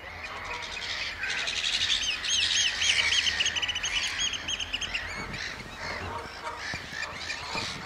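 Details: Piping display by oystercatchers at Amwell Nature Reserve, April 2014: a fast, excited run of high piercing piped notes that swells into a dense trill, then fades amid softer background calls.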